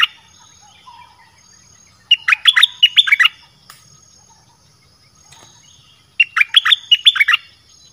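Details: Dok taeng style song of a red-whiskered bulbul, played to attract wild birds: two lively phrases of about a second each, roughly four seconds apart, made of fast tumbling chirps and whistles over quiet background.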